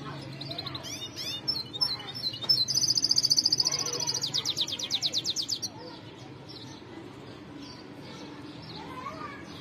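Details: Goldfinch, described as the white-necked form, singing: quick liquid twitters leading into a long, loud buzzy trill that rises and breaks into rapid repeated notes, then quieter scattered twittering; low background hum.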